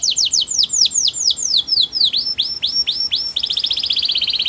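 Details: Sweet canary song built from rapid repeated swooping whistles, first quick downslurs, then slower rising notes, ending in a fast rattling trill of high notes; no other sounds.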